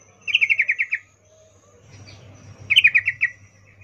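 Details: Female yellow-vented bulbul calling a male with a breeding 'ngecuplik' call: two crisp bursts of about seven quick descending chirps, well apart, over a faint low hum.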